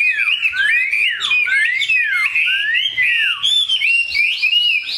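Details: Caged Chinese hwamei song: loud swooping whistles that slide sharply downward, repeated about once a second, then a run of quicker, higher rising notes.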